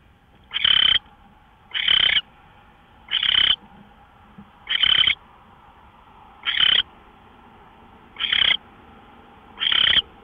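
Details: Owl on March 24, 2013, 5:27 a.m., repeating a harsh, wheezy screech seven times in ten seconds at an even pace, each burst short and raspy over a steady low hum.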